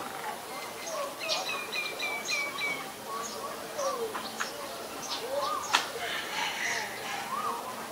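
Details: Common myna in Ubon Ratchathani, Thailand, 28 February 2022, filmed with a Nikon P1000: a rapid series of short falling whistles, followed by swooping upslurred notes and clicks amid other chirping birds.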